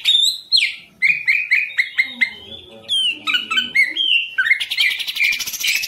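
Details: Captive Indonesian green leafbird singing a varied run of slurred rising and falling whistles and chirps, ending in a fast, buzzy rattle.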